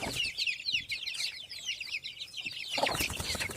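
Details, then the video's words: Many native village chicken chicks peeping together: overlapping shrill, quick downslurred cheeps in a steady stream, with soft knocking and rustling sounds, a louder burst of movement toward the end. "ANAK AYAM KAMPUNG"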